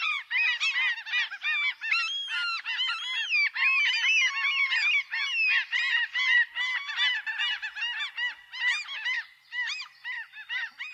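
A crowd of gulls calls nonstop: harsh, overlapping squeals and yelps, a few rising mews, several every second, with no other sounds behind them.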